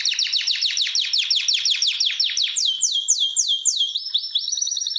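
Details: Canaries in a breeding room set up for pairing and mating; a fast run of sharply falling whistled notes, about nine a second, slows into broader descending sweeps, then a thin high steady whistle enters.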